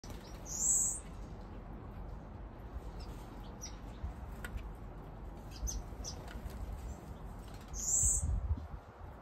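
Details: Blue-capped cordon-bleu waxbills in an aviary holding only their species, with a cock bird added to prompt territorial behaviour for breeding; two high, thin drawn-out notes near the start and end over low rumbling background noise.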